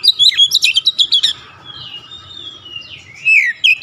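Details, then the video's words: Kacer singing gacor and showing off its repertoire. A rapid chattering burst of chips is followed by soft, thin warbling, then a loud whistled phrase near the end. "KICAUAN OBAT KACER SETRES CEPAT SEMBUH DAN GACOR NGOTOT BONGKAR ISIAN"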